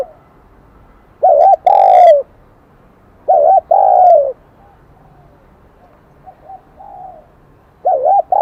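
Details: Kim Đồng-voiced spotted dove, a wild-caught bird, giving two loud coo phrases, each a brief double note then a longer falling note, followed by soft low murmured coos before another phrase begins.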